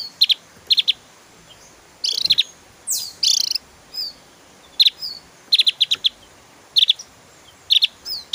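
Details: Javan grey-throated white-eye giving its 'tembakan' burst song, a master recording to set other songbirds singing: staccato bright chirp triplets alternating with a few scratchy rasping notes, all high-pitched and quick.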